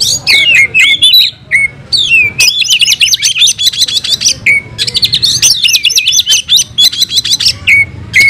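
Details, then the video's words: An oriental magpie-robin (kacer) unloads its varied repertoire in fighting mode. Buzzy chatters alternate with clear, level whistles near the middle of its range, then a rapid string of high clicking notes and more drawn-out whistles. "Kacer gacor tarung bongkar isian"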